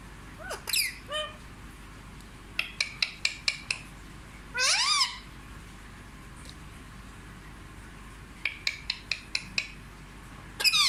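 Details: Talking Indian ringneck parakeet kept as a pet, said to speak fluent Hindi, producing swooping screechy phrases mixed with quick runs of sharp clicks, then silence and further clicks and a final squawk.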